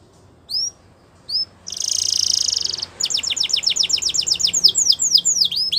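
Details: Canary song opening with a few separate upslurred whistles, then a dense buzzy trill, followed by a quick series of high falling notes repeated about four per second.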